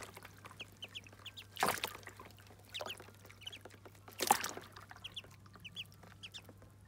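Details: Muscovy ducklings taking their first bath make soft, high peeps scattered through the clip, broken by two loud water splashes and smaller sloshing sounds.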